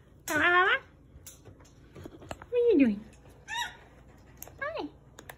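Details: Indoor pet parrot, blue-feathered, giving a loud rasping squawk followed by a drawn-out descending whine and two shorter falling calls, separated by pauses, while a person plays with it and offers it an object.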